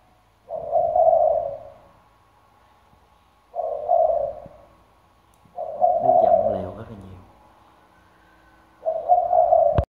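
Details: Decoy spotted dove, deep 'thunder-bronze' voice, cooing day and night; four short, evenly spaced hollow coo bursts about three seconds apart, a human voice briefly heard over the third, a click at the end.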